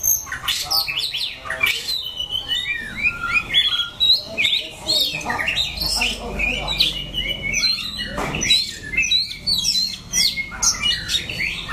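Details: White-rumped shama in Dak Lak, Vietnam, September 2015, pours out a rich, rapid jumble of sharp whistles, chacks and trills without pause, with faint voices in the background.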